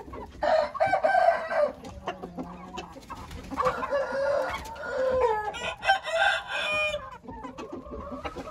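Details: Several crows from Hint roosters follow one another closely, coarse and harmonic with slightly falling endings, over a noisy yard with scattered clucks.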